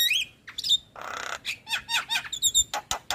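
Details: Javan myna with white eyes singing as a lure for silent birds: whistles and squeaks, a brief hissing rasp, then bubbling warbled notes and sharp clicks.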